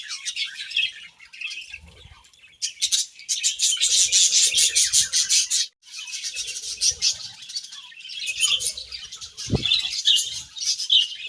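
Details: Budgies eating grass break into long runs of fast, buzzy, chattering warble, pausing briefly midway, then resuming with squeaky chirps; one low thump is heard.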